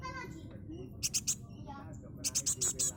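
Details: A very young Java sparrow chick, sex unknown, still being hand-fed, gives quick bursts of high, sharp chips, first three, then about six, while a person talks nearby.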